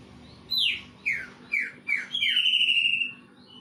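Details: Greater green leafbird song imitating a kingfisher: four sharp downward-slurred whistles about half a second apart, then a sustained, slightly falling whistled note lasting nearly a second.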